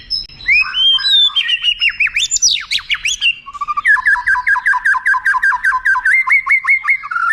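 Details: Tutor song of a white-rumped shama with long showpiece phrases, meant for contest birds to imitate: rising whistles and steep falling sweeps open into a loud, fast run of sharp repeated notes, about four each second.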